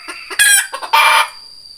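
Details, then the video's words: A red junglefowl gives a short, clipped, harsh crow in two loud bursts, with soft clucking notes before them, over a faint steady high hiss. "Tiếng Gà Rừng Kêu"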